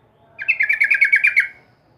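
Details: Yellow-vented bulbul singing one bubbly, chattering phrase of about a dozen quick warbled notes, strongest around the middle of its range, lasting just over a second and rising in loudness then fading, with a quiet background.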